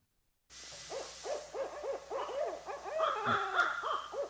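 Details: Barred Owl pair in early spring, calling back and forth: a frantic run of arched, rising-and-falling hoots, three or four a second, swelling into wild, higher cackles toward the end.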